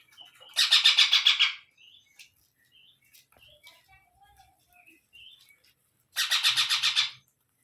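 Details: Baby parrot producing two bursts of rapid, raspy, rhythmic squawks, roughly eight notes each, with soft scattered chirps and quiet in the gap between bursts.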